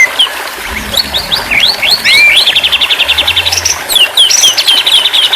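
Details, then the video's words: White-rumped shama singing on a therapy track for stressed birds that stopped singing: sharp high notes, a rising whistle, then long fast trills of high chattering notes. "terapi burung murai batu stress/ macet bunyi auto bunyi kembali"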